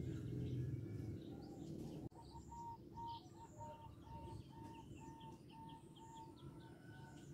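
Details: Local zebra dove calling to provoke a reply: a soft, even series of short cooing notes repeated about four times a second, heard through heavy low background rumble, with a sharp click near the start.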